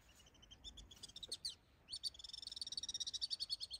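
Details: Alpine swift over a lake giving a fast, high, chattering trill that rises and falls, about fourteen notes a second, after a few scattered shorter chirps.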